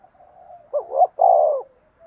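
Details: Cooing of a decoy spotted dove used to draw wild doves in. Two quick upturned notes lead into one sustained, slightly falling coo, with soft murmuring before and after.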